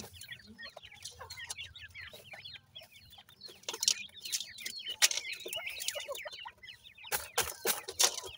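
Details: Francolin (teetar) chicks aged 28 days feed in a yard, giving a steady stream of short high squeaky peeps from several birds, broken by loud clicking taps and scuffs, especially near the end.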